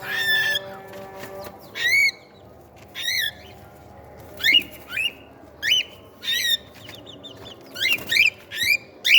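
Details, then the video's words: Pet cockatiel chicks being fed: a series of short, sharp rising-and-falling chirps and squeaks repeated roughly every second, some with a slurred whistle, above a low constant room hum. "Cockatiel chicks playful meal time."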